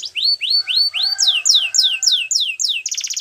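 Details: Belgian canary singing a series of rising whistled slurs, then repeated high descending sweeps about four per second, finishing with a quick pulsed trill.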